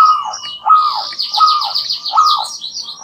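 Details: Two local zebra doves singing a lively duet, answering each other, recorded as a lure: arched cooing notes near one pitch repeat about every 0.7 seconds, overlaid by busy high buzzy chirping and trills.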